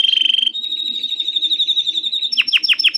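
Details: A canary sings to prompt other canaries: a loud pulsed trill that smooths into a long, steady high whistle, ending in a quick series of sharp descending chips over faint low background noise.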